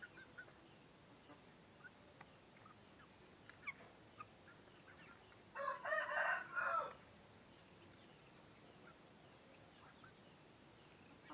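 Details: Rooster, a male of a laying chicken breed often raised for meat, crowing, a call usually given in the morning as night turns to day: one loud harmonic crow of about a second and a half, rising then held, over quiet background with faint distant clicks.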